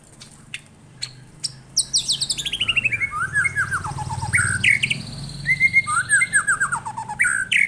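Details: Responding to a lure recording, a white-rumped shama delivers varied song: a few sharp clicks, then rapid descending slurred whistles, loud rising phrases and chattering notes, over a low background hum.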